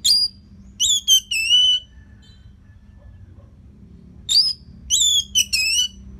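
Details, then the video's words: Orange-headed thrush, a Balinese cage bird singing as a tutor for others; two groups of clear whistled notes, some wavering and sliding downward, separated by a pause of about two seconds, with a low background hum. "Dipancing Dengan Kicauan ANIS MERAH Gacor Selow Ini"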